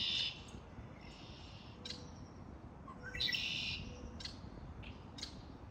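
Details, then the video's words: Springtime bird chorus: bright, high twittering phrases come in bursts, loudest at the very start and again past three seconds, with a few thin whistles between them over faint background hum. "آوای آرامش بخش پرندگان در بهار(Relaxing with the sound of birds)"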